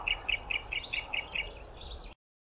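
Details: A male Red-collared Widowbird sings from the top of a bush before flying off to find the females. The song is a quick run of about nine high, tinny two-toned notes, roughly five per second, fading at the end.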